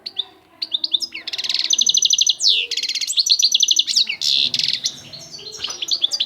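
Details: European goldfinch singing a fast, bright song of high tinkling notes, buzzy rapid trills and twittering phrases, with short pauses between bursts.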